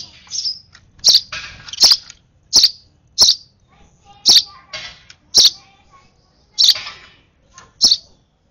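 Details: Nestling sparrow being hand-fed gives about a dozen high, piercing cheeps, some doubled, each often marked by a sharp click, with short pauses between bursts.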